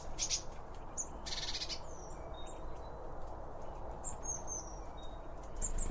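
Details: Eurasian blue tits at a garden bird feeder: thin, very high chips and short sliding whistles, irregular over a steady low rumble, with other small birds calling.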